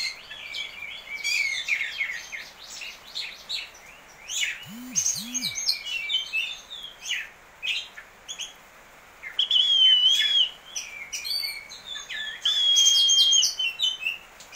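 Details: Prize-winning caged Oriental magpie-robin in daily routine, described as very vocal with crystal-clear fills and sharp 'mbesetan' notes. It delivers a varied stream of quick high chips and trills with long clear whistled notes, plus a brief low double squeak.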